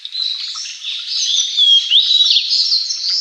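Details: Blue-and-white flycatcher, one of Japan's three famed songbirds, singing; dense, continuous high warbling with quick slurred whistles and twitters, steady and fairly loud throughout.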